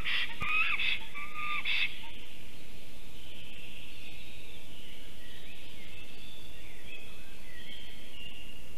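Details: Black stork at its Latvian forest nest at 2:46 pm on 1 April 2024, a male arriving home singing and then leaving again. A short burst of wheezy, whistled calls lasts about two seconds, then a fainter thin drawn-out whine over low wind rumble.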